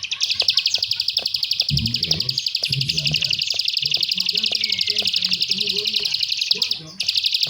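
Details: Bar-winged prinia (prenjak sawah) klik song. Quick, metallic clicks repeat about four times a second and break off briefly near the end before resuming, with a man's low voice talking throughout.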